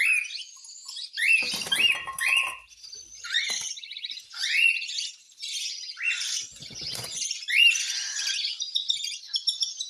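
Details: Cockatiel begging at hand-feeding: bursts of rising, scratchy squeals and hissing rasps in quick irregular runs, with low fluttering rustles.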